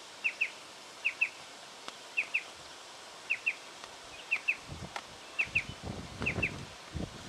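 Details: Striated pardalote in Victoria, Australia, October 2011, repeating a bright two-note chip roughly every second, seven pairs, with low rustles and thumps growing near the end.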